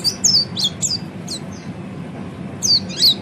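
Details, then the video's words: Oriental white-eye training song: a few high, sharp down-slurred chirps at the start, a pause, then two more bright twittered notes at the end, over faint hum. "kicau burung peleci ngeriwik"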